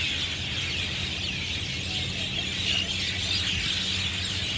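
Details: Flock of Javan or Jungle Mynas calling loudly from treetops, Marina Barrage rooftop, Singapore, in the afternoon; thick overlapping squeaky chatter with brief higher whistled notes and a constant low hum.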